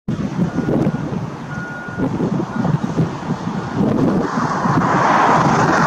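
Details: Vehicle noise with wind buffeting the microphone, a steady reversing beep and a brief voice, with no animal calls.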